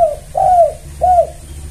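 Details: Spotted dove kuk lure call, used in Indonesia to attract other doves: a brief note, then two mellow downslurred coos about half a second apart, over a quiet low hum.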